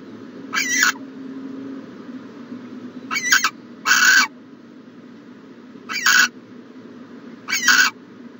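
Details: From a nest box on a January 2020 morning, an owl gives scattered short raspy screeches, five bursts spread unevenly over several seconds with quiet hum between them.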